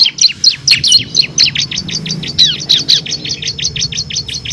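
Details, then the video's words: Kristal-type bar-winged prinia singing the rapid 'ngebren' style, six-variation song used to tutor competition songbirds. It delivers a busy, buzzy series of high chirps and flicks, about two to three per second, throughout. "FULL NGEBREN‼️ CIBLEK KRISTAL GACOR ISIAN 6 VARIASI COCOK UNTUK MASTERAN BURUNG PRESTASI"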